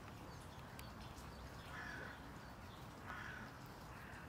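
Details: Common moorhen (Gallinula chloropus) in Tivoli landscape park, Ljubljana, on 2 February 2024: two short, harsh croaking calls about a second and a half apart, over a steady low rumble.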